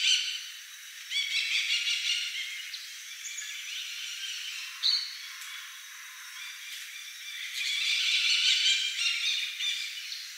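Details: Macaws at Manuel Antonio, Costa Rica: harsh, raucous squawks come in bursts near the start, middle and end, over a steady high buzzing chorus of insects or frogs.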